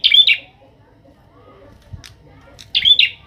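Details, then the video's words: Bar-winged prinia, a young captive bird trained with a kept prinia, singing gacor: a double chirped phrase, over two seconds of near silence with a soft tap, then a matching double phrase. "prenjak atas gacor"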